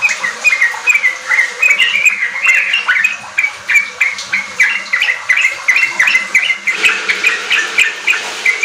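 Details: Sooty-headed bulbul singing vigorously, meant to lure untrained kept bulbuls into riwik and ropel singing: continuous run of short bubbly notes and squawky tweets in quick rhythmic bursts, several birds overlapping.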